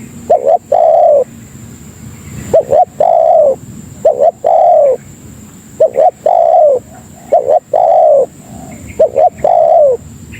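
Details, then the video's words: Tekukur (spotted dove) lure call for attracting fellow doves: low, round coos in phrases of quick paired notes ending in a longer falling note, repeated at a relaxed pace with brief pauses. "Suara Burung Pikat Tekukur Paling Ampuh Untuk Masteran dan Pikat Memanggil Kawan"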